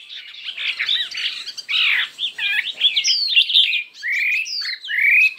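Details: Chinese hwamei contest singing: a dense, somewhat harsh jumble of chattering notes giving way to clearer, long upward-slurred whistles repeated in separate bursts.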